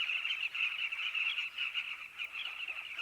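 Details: Dense, unbroken chorus of Southern carmine bee-eaters at their nesting colony, many birds giving overlapping rolling chirps that blend into a steady buzzing wall of sound with no single caller standing out.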